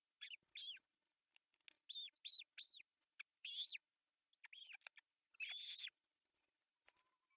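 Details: Osprey at an artificial nest in Pohjois Satakunta, Finland, on 10 June 2024, filmed by a nest camera as the male brings a big fish for breakfast. It gives short, high, squeaky chirps in clusters of two to four, with brief pauses between.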